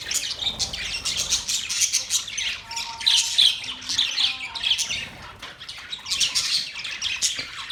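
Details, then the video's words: Pet budgerigars chatter in a continuous, warbling twitter with clear high whistled chirps repeated among scratchy squawks. "Beautiful parrot sound | budgies relaxing sound"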